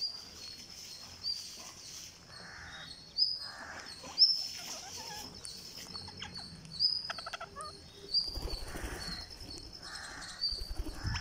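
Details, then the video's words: Green parakeet being hand-fed on day 49, giving harsh raspy bursts every second or two, with sharp high chirps above a steady high-pitched background tone. "GreenParakeet Feeding - Day49"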